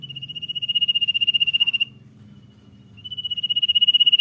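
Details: Common iora in energetic 'dor nyiul' song, giving two drawn-out, tremulous high whistles, each rapidly pulsed and nearly two seconds long, separated by a short pause, over a soft low background hum.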